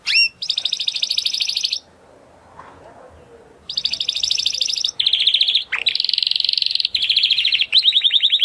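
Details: Spanish Timbrado canary singing. Long, fast metallic rolls and trills alternate with a few sharp upslurred notes. The rolls are broken by a brief quiet gap with faint background noise.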